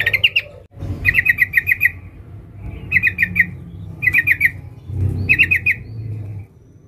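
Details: Female sooty-headed bulbul calling a male: short bursts of four to six rapid, bubbling chirps repeated about once a second over a low hum.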